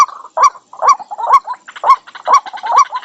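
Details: White-breasted waterhen used as a lure for wild birds: quick, rhythmic clucking kwak notes with harsh, gurgling calls overlapping between them in a brief burst.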